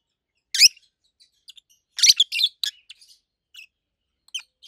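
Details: Adult captive peach-faced lovebird pair, green opaline and pallid aqua opaline, gives sharp piercing chirps in a few loud bursts, with faint scattered twitters afterward and a light tap.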